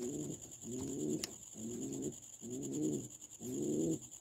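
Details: Pigeon cooing in a steady series of low, rolling coos, five phrases each under half a second, about one every 0.7 seconds, over a constant high electrical whine.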